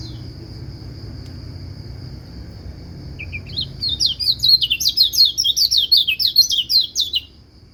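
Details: White-eye song said to prompt other white-eyes to sing: a steady high whine at first, then a few lower notes leading into a fast, bright burst of high twittering, chattering phrases lasting about four seconds.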